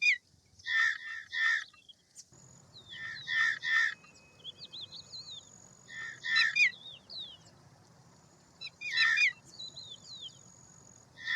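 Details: Indian roller calling in clusters of rough, grating notes, two or three at a time, repeated every few seconds, mixed with high thin whistles from other birds and a faint low background hum.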